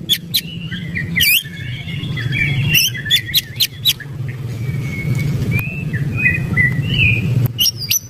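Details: Excited white-rumped shama delivering brisk, sharp ticking notes and scratchy chatter, followed by thin wavering whistles, with a constant low rumbling hum underneath.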